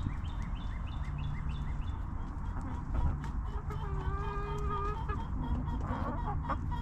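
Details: Backyard chickens resting in a cozy coop: a series of high rising peeps at first, then a drawn-out, tonal hen cluck with rich harmonics, all over a constant low mechanical hum.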